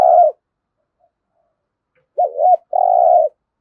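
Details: Spotted dove giving 'thúc gù' cooing, a recording used in daily training of decoy birds: the end of one low coo, then after a pause a wavering two-part note followed by a long steady hooting coo, in quiet surroundings.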